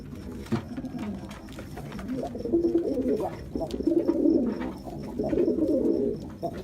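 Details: Jacobin pigeon giving a series of soft, throaty coos indoors, three rounded rolling phrases of about a second each, growing slightly louder, with a soft click at the start.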